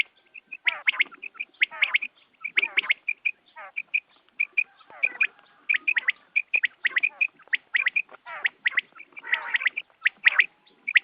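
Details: Early-morning quail chorus used in hunting: steady, scratchy chatter with crisp high chirps, repeated in rough bursts about every second across the whole stretch, dense and continuous.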